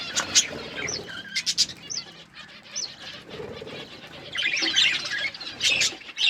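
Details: Pet budgerigars in varied colours: bursts of high chirps and quick rising squeaks separated by quieter gaps, with fluttering wingbeats and rustling between the calls and a louder chattering flurry near the end.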